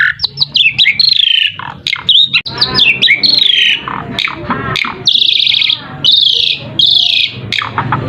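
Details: Asian pied starling song meant to lure other birds into calling: rapid sequence of slurred whistles, squeaky chirps and buzzy, grating bursts, several long harsh notes near the end, with a low background hum.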